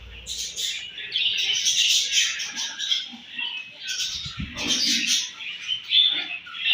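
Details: Budgerigars at morning feeding time keep up a dense, scratchy warbling chatter with quick chirps overlapping throughout, briefly dipping around four seconds before rising again.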